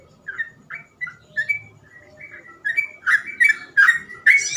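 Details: Trucukan, or sooty-headed bulbul, singing ropel song for training untrained birds; soft whistled notes building into a loud, quickening burst of rich, buzzy phrases, with low background rumble.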